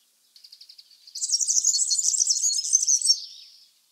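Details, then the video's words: A European Serin sings a very high, rapid, glassy jingle of buzzy twittering notes, opened by a few short ticking notes and lasting about two and a half seconds. "European Serin"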